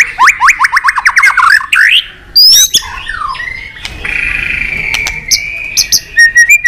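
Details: Excited White-rumped shama singing with tail-flicking, many-voiced: a loud, varied song, with a fast series of rising whistled notes, then sweeping phrases, sharp clicks and a long sustained whistle.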